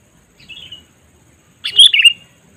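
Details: Sooty-headed bulbul calling to lure wild birds: a soft whistled note, then, after a pause, a loud, rich chattering phrase of fast tumbling notes; otherwise quiet.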